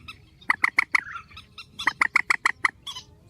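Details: Strong grey-headed swamphen call: two tight series of about five loud, abrupt nasal notes each, evenly spaced, ending with a softer rough note.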